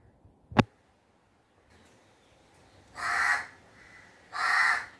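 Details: Crow heard after a sharp knock and near silence, then two loud, harsh, hoarse caws about a second and a half apart, the second followed by a fainter trailing call.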